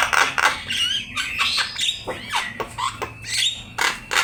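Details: Javan myna singing in an Indonesian master recording for training songbirds: harsh squawks mixed with rising and falling whistles and clicks, loud bursts every half second or so, with a faint low hum behind.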